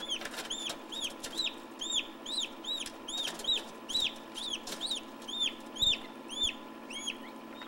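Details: Newly hatched turkey chicks in a 2006 incubator peeping steadily, each note a bright arch, about two per second for nearly eight seconds, with occasional knocks and a continuous machine hum.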